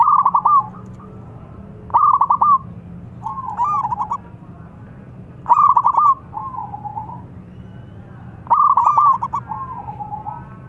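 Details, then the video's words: Local zebra dove calling loudly: strong stuttering coo phrases every two to three seconds, each followed by softer, wavering trailing coos. "PERKUTUT LOKAL BERSUARA LANTANG MEMANGGIL BIKIN NYAUT"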